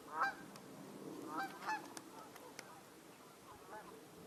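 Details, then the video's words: Canada geese vocalizing on 20 January 2024 while a gull flies about; a few loud honks early, then fainter scattered calls, over a low rumbling background with faint clicks. "we've got Canada geese vocalizing. And there's a gull flying around."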